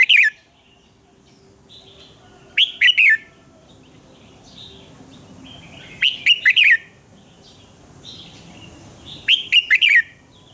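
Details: Red-whiskered bulbul singing in the morning, used as a training voice for other birds: short bright phrases of three or four quick warbled, dropping notes, repeated every three to four seconds, with fainter bird chirps between.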